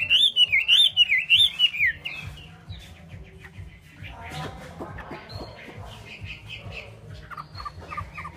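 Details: A Chinese hwamei delivers a loud warbling phrase of rapid up-and-down whistles for about two seconds, after which only faint scattered notes remain.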